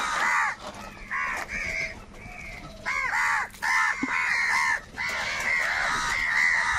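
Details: Very loud crow calls during a fight for food: repeated harsh, arched caws from several birds, overlapping in dense bursts.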